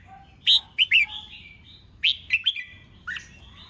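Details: Contest-style song of a male red-whiskered bulbul, ché chét voice, played to spur newly caught birds to sing; clustered bright chirps at the start, a second quick phrase midway, and a lower slurred note near the end.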